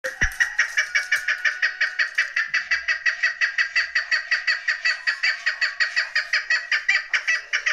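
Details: Chukar partridge calling, linked to hunting chukar with young and female birds. A harsh, chuckling note repeats steadily about three times a second for nearly eight seconds, loud and even, with no other clear sounds.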